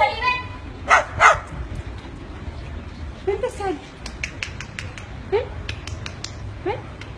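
A bird mimics a dog's bark with two harsh, quick woofs near the start, followed by softer squawks, whistled chirps and voice-like sounds.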